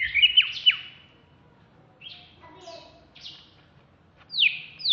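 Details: Caged, contest-ready greater green leafbird of the Alas Purwo type, kept in Jatiasih, Bekasi, sings in agitated ngamuk style: sharp descending whistled slurs in short bursts, separated by quiet gaps with softer faint notes between.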